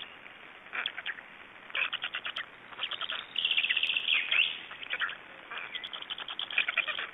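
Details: Begging black stork chicks at feeding time, Estonia, 26 May 2012: bursts of quick, harsh chattering pulses separated by quieter pauses, with a louder, more strident stretch near the middle.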